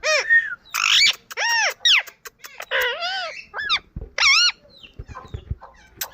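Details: Pet Indian ringneck parakeet calling playfully: loud, harsh, arched squawks rich in overtones, some rising and falling, a few drawn-out screeches, then softer short notes near the end.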